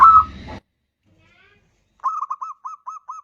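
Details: Zebra dove of the bodronoyo type singing as a lure for others: a brief noisy onset, silence, then about seven short, evenly spaced hollow coos.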